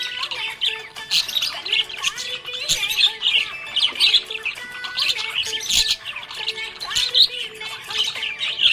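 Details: Happy budgerigar giving dense, chattering chirps and harsh little squawks almost without pause, with music playing underneath throughout.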